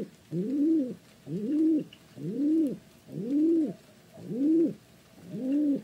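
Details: Rhythmic pigeon cooing, six soft arched hoots of equal length repeated about once a second.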